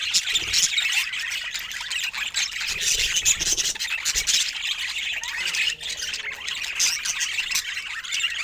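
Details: Budgerigars kept as pets chattering, rapid high chirps and rasping squawks overlapping throughout, with faint clicks.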